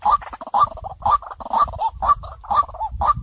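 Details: White-breasted waterhen lure call: rhythmic harsh 'kwak' notes about twice per second mixed with rolling chatter, set against steady low-pitched background noise.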